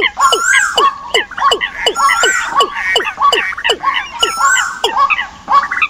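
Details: Decoy bird calls for the migration season: steady run of downward-swooping whistles about twice a second, with a chattering chorus of other birds behind.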